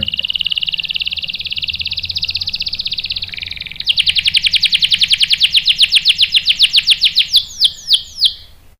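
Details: Lure singing of a canary, meant to make a male reply with rolling song: a sustained dense buzzy roll, then a quick run of crisp repeated chirps slowing to spaced downward-swooping notes.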